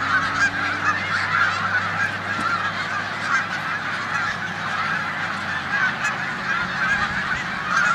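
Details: A big flock of snow geese in a corn field on Olmstead Road, Savannah, New York, 14 March 2020, before heading to the tundra; loud massed honking over a low droning hum that fades midway.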